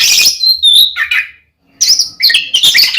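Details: Fighting song of an oriental magpie-robin provoking another male: harsh buzzy phrases and a short whistle, a pause, then loud scratchy chattering notes.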